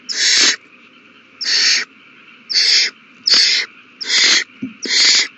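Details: Hungry owl chicks during a meal, 27 March 2020: six broad, noisy screeching hisses, roughly evenly spaced about once a second, with a soft background hum between them.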